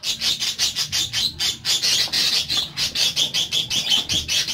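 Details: Pet parakeets give a fast run of harsh, raspy, high chirps, pulsing about five times a second in an unbroken chattering stream, with a faint low hum behind.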